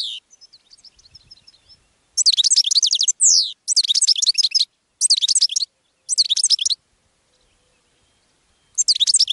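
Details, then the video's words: Goldfinch song played to attract other birds: repeated short bursts of rapid, high, tinkling twitters with a single falling slurred note among them, gaps of about half a second, preceded by faint soft calls. "GOLDFINCH SONG to ATTRACT Other Birds"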